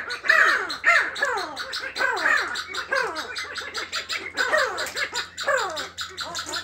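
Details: Chukar partridges beginning to choose mates, giving harsh rasping calls in a repeated series, several notes per second with descending slurred elements, steady low hum underneath.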